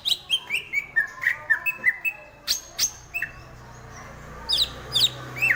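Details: Song of a greater green leafbird, a chattering series of short slurred whistles stepping downward, then scattered sharp chips and a faint low hum in the background.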